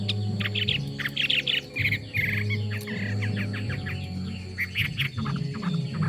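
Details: Chinese hwamei singing a dense run of quick chirps and short whistled notes, some rising and falling, broken by brief pauses, over a steady low hum.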